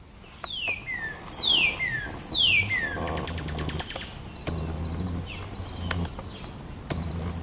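A northern cardinal gives three loud, clear whistles, each sliding steeply downward, about a second apart. A quick run of ticking notes and a steady insect hum follow.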